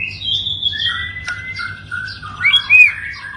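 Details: White-rumped shama singing long drawn whistles that glide down, then a brighter twisting flourish near the end, with a faint low hum underneath.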